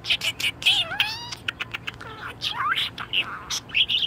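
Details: Budgerigar in an excellent mood chattering away with quick clicks, buzzy high notes and a couple of bending whistled slides, steady and busy throughout.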